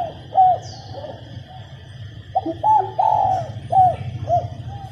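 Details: A female spotted dove coos to prompt males to sing. Mellow two-part coos open the recording, then a full phrase of quick hollow notes, a long coo and two trailing notes, with a low background hum.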